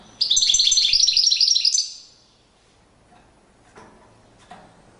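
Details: Courtship display song of a European goldfinch: a dense, fast twittering phrase lasting under two seconds, followed by near silence with a few faint clicks.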